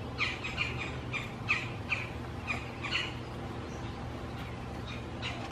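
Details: Two female Red-bellied Woodpeckers argue near a backyard nest box over a male and nest site in spring, trading harsh, rolling notes about twice a second in an uneven back-and-forth, over a low background rumble.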